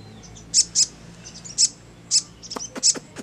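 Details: High, thin chips from a crimson sunbird in ngleper style, paired and single notes spread across a few seconds against steady low background noise and some faint clicks.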